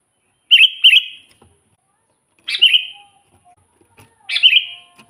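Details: Sooty-headed bulbul lure recording meant to draw in wild kutilang; a quick double chirp followed by two single bright slurred chirps roughly every two seconds, with faint background hum.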